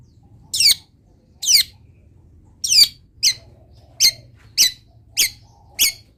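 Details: Wild long-tailed shrike singing actively, its song rich in mimicked phrases. It gives harsh, scratchy, downward-sweeping screeches, eight short notes in about six seconds at slightly irregular intervals, over a faint low background hum.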